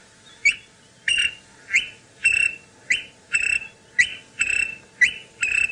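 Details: Greater honeyguide at Djuma Game Reserve, Sabi Sand, South Africa, on a sunrise drive around 6 AM on 5 April 2018, gives its territorial two-note 'vic-tor' call: a short rising whistle then a longer level one, about every 1.2 seconds, over a faint hum.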